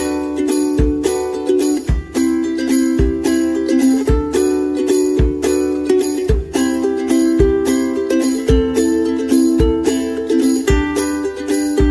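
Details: Bright jingling music with steady plucked chords and regular percussive beats throughout, with no animal voice.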